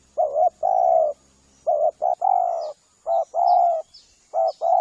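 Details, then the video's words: Spotted dove coos used as a lure to call in spotted doves. Paired short notes are each followed by a drawn-out mellow coo, repeated steadily, with faint high chirps from other birds in the background. "Suara pikat tekukur"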